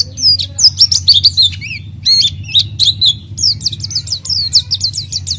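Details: Energetic oriental white-eye lure song: tangled high twitters and slurred whistles, then a brisk run of repeated sharp chirps, with low background hum throughout.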